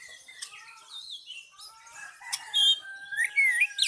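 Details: Oriental magpie-robin singing: a varied, continuous run of clear whistles, slurred rising and falling notes and short buzzy phrases, growing louder toward the end with sharp high whistled notes.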